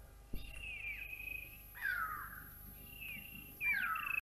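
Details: At Naledi Dam in Africa, a grey go-away-bird gives two harsh, drawn-out nasal calls that slide downward, with thin steady whistles from other birds in between.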